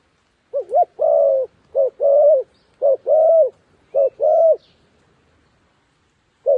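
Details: Coo calls from a decoy dove used to bring wild doves down: four paired phrases, each a brief hooting note and then a drawn-out, slightly arching coo, closing with one lone short note after a pause.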